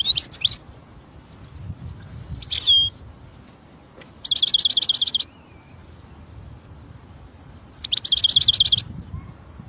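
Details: A wild European goldfinch delivers scattered chirps, then two crisp trills of rapidly repeated identical notes about four seconds apart, each lasting roughly a second, with low background rumble.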